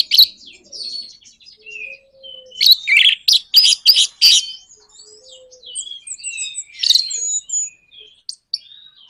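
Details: High, varied warbling from an Orange-headed thrush in the 'nraktak konslet' style, used to spur other birds to sing. Loud choppy bursts in the middle are framed by softer whistled slurs and a faint low tone.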